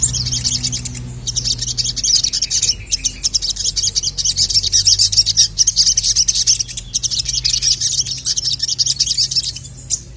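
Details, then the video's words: Sogon sunbird, agitated and calling a male, gives long runs of rapid high twittering chirps, nearly unbroken for ten seconds, with a faint low drone behind. "SOGON MANAPUN NGAMUK GACOR LANGSUNG EMOSI dengar masteran burung sogon memanggil jantan ini"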